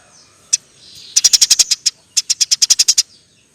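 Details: Eurasian tree sparrow in 'gacor' form: one isolated sharp tick, then two fast rattling series of about eight clipped, dry notes each, separated by a short gap, in a quiet setting.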